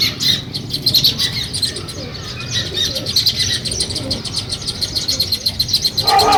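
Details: Sparrows beginning a nest give soft, rhythmic chirps in quick series, with a few lower notes and faint rustling. A louder chirp cluster comes at the close.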